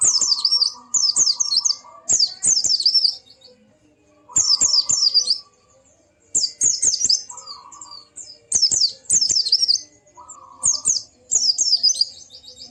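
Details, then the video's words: White-eye song played to make a quiet bird sing along: repeated high, jittery twittering phrases about a second long, spaced by gaps, with a short buzzy mid-pitched note appearing now and then. "Burung Pleci macet pasti langsung ikut ngalas dan buka paruh"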